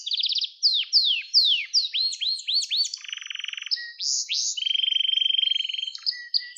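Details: Gloster canary song intended for stimulating and training canaries: falling whistles and arched notes, a low buzzy tour, sliding upswept notes, then a long steady pulsing trill and scattered chips.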